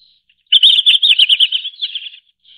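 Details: Red-flanked bluetail (Tarsiger cyanurus) song: one quick, jumbled warbling phrase of high, bright notes lasting under two seconds, then a soft trailing note; otherwise quiet.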